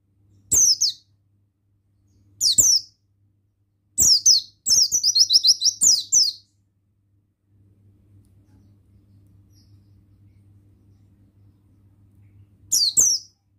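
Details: Male buxtoni Oriental white-eye, used as a therapy sound to get reluctant males singing: scattered high chirps, then a fast run of about eight bright descending notes, silence, and a final chirp, over low hum.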